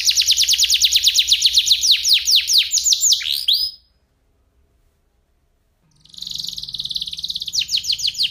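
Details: Canary of F1SF type giving masteran song for shamas, crystal-clear with unique cengkok. A rapid series of falling notes stops after four seconds; following silence, a buzzy trill with rattling notes resumes.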